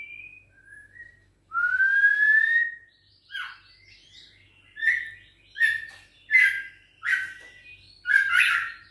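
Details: Caged White-rumped shama juvenile, aged six weeks, from a Bahorok line and trained against a rival. It opens with sweet, long, upslurred whistles, then gives a run of sharp, clipped notes repeated about every half second.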